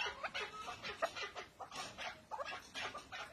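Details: Male chukar partridge (Alectoris chukar) gives a rapid run of harsh, clucking chuk notes, about three or four per second, rough and rhythmic, with no other sounds.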